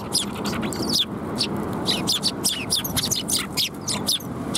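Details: A flock of sparrows at a Tenmangu shrine, come to be fed on 28 January 2021, fills the air with dense, overlapping high chirps and twitters, loud and continuous, over faint low background noise.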